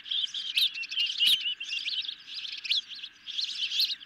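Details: Evening feeding at an osprey nest cam, 10 July 2021, with hungry birds and a medium-sized fish. A dense chorus of overlapping shrill chirps and twittering whistles, some sliding up and down, runs almost without a break.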